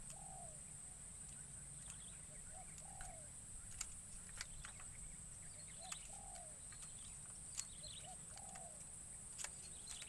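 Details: Spotted dove used as a lure in forest for wild doves, on its first outing; four evenly spaced low cooing phrases, each a brief note followed by a longer descending coo, with clicks and a continuous high insect drone.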